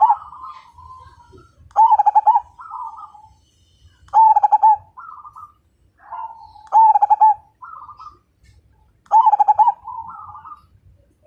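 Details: Zebra dove of the Majapahit perkutut type sings a steady series of stuttering, pulsed coo phrases about every two and a half seconds. Each is tied to quieter rolling notes before and after.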